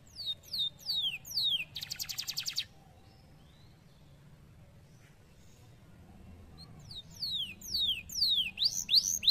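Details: Canary song: repeated falling whistled notes, a short burst of buzzy rattle, a long quiet gap with low background noise, then a quickening run of sweeping whistles.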